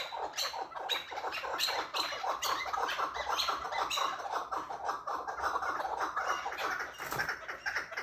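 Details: Chukar partridge in an excited state, calling with a steady stream of quick, hoarse chuck notes that run together into a rolling, cackling series for the whole stretch.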